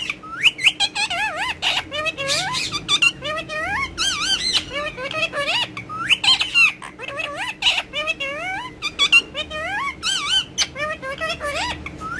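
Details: Pet rose-ringed parakeet talking with a mobile phone in Urdu and Hindi: a continuous, rapid flow of wavering, warbling speech-like phrases with short pauses, mimicking human words, indoors.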